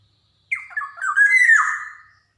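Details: Javan black-naped oriole singing energetically with varied phrasing, played to prompt young orioles to sing: a single rich, slurred whistle that rises and falls, with a nasal, harsh edge, lasting under two seconds.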